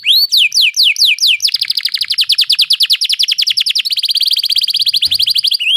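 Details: Canary rolling song for training canaries that seldom sing: sweeping slurred whistled notes that speed into a long, very fast even trill, shifting pitch slightly partway through.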